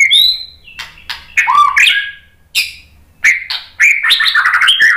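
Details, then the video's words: White-rumped shama (murai batu) song used to stir other birds to sing: rich varied whistles, slurred downward notes and harsh chattering bursts in quick changing phrases, with a mix of clear and scratchy sounds. "SUARA KICAUAN MURAI BATU bikin NYAUT jadi GACOR NGEPLONG ¦ PANCINGAN MURAI BONGKAR MATERI"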